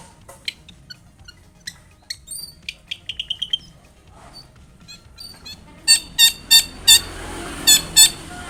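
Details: Long-tailed shrike in lively song, used as a lure to prompt other shrikes to answer; scattered sharp high chirps and short trills, then a closing series of loud, harsh, broadband notes repeated roughly twice per second.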